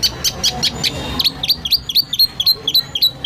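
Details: White-rumped shama for training songbirds: a few high chips, then a run of sharp, downslurred whistled notes, each snapping upward at the end, repeated quickly and unevenly.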